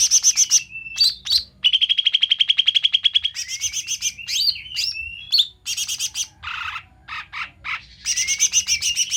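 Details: Bulbul sounds used as a lure for trapping and attracting birds: a varied, loud run of chirps, rapid repeated metallic notes, whistled slurs and trills, densely packed over nine seconds.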